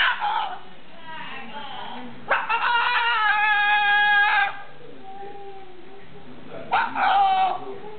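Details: A pet cockatoo talks in three raspy, speech-like bursts, a short opening phrase, a longer two-second strained, nasal stretch, then a brief final phrase, among phrases like "What are you doing, bird", "Rub the bird" and "What is that?"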